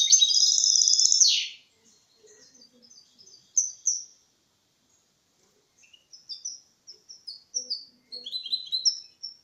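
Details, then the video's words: Caged goldfinch × canary mule with a clean Malaga song for tutoring chicks and stimulating males; a loud buzzy burst opens, followed by scattered high chirps and short twittered phrases separated by pauses. "Mixto de Jilguero Limpio cantando copia Malaga elegante / mule goldfinch singing"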